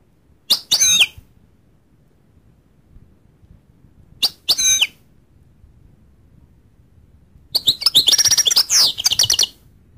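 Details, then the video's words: Goldfinch singing in three separate bursts of high, bright twittering and rapid chirps, the last burst longest and densest, with quiet pauses between; no other sounds stand out. "goldfinch sound"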